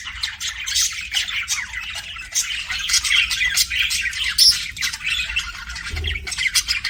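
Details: Several pet budgies keep up a steady stream of scratchy chirps and twittering squawks, dense and unbroken, with one sharp higher squeak near the middle.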